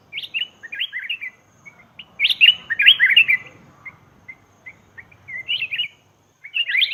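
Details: Lure recording of black-crested bulbul: lively, gurgling whistled phrases repeated in bursts, with scattered short single notes between them and a clean, quiet background.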